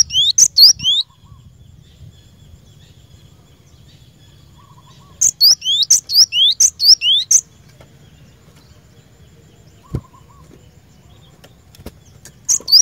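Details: Lure song of the cinereous tit (glatik batu) for caged-bird training. Brief clusters of high chips with rising whistled notes come in bursts separated by long quiet stretches, with a faint distant chirp between them.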